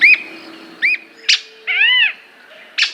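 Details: Squirrel cuckoo, Brazil: two sharp hooked notes, a short harsh burst, a longer nasal, arched, harmonic note, and a final harsh burst, set against low background hiss.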